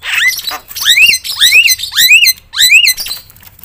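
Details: Javan myna delivering loud fill-in song used as a lure for silent mynas: five rising then levelling whistled squeals, each about half a second long, repeated at a steady pace.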